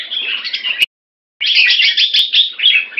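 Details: Red-whiskered bulbul, a caged Singapore-kept bird, sings in rotational sparring with a fast 'keke machine' wing display. Rapid, bright warbling bursts stop abruptly for half a second, then resume, with a single sharp click.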